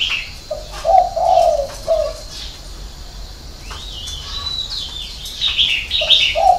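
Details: Spotted dove singing the six-note style called hậu 3: low, hollow cooing phrases near the start and again at the end, with thin higher chirps from other small birds between them.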